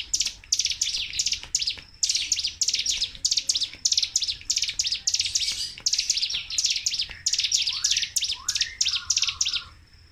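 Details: Sunda warbler (ciblek gunung) pouring out its nonstop 'tembakan' song, used for prompting and tutoring kept birds: streams of high, sharp chirping bursts, with a few lower sliding whistles toward the end before it fades.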